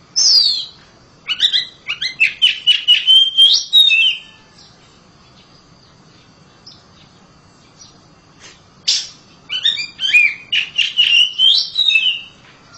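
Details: Loud song of a house-kept oriental magpie-robin: a run of varied whistled and chattering phrases with sliding tones for about three seconds, a quiet pause with scattered notes, then another fluid whistled burst.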